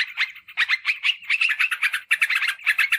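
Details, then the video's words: Lure recording of a yellow-vented bulbul, used to draw wild birds and as a tutor for caged ones: fast, scratchy chattering bursts follow one another almost without break, with brief gaps near the start and middle. "Suara PIKAT Trucukan"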